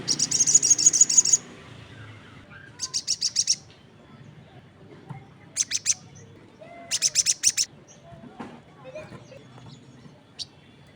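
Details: Crested jay calling actively while other birds answer: loud, rapid rattling bursts of high, dry pulses, about one and a half seconds each, repeated three times with short pauses, over a quiet background with faint bird notes.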